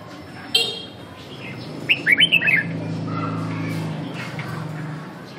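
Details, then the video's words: Red-whiskered bulbul singing in a practice session: a single sharp click, then a quick series of four or five looping whistled notes in rapid succession, followed by a steady low droning hum. "dợt cm 2"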